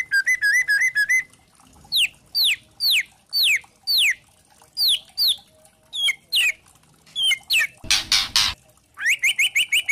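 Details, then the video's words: Trotol white-rumped shama in kretekan style, played to provoke singing: a short wavering trill, a series of spaced sharp downslurred whistles, a rasping noisy burst, then a fast repeated run. "Pancingan murai trotol memancing emosi bikin murai batu trotol & Pastol bunyi gacor | Kretekan 16"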